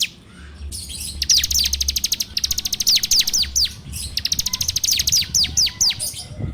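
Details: Bar-winged prinia recorded on Android as a lure for birds: dense rapid high ticks mixed with repeated sharp downslurred whistles, delivered almost continuously.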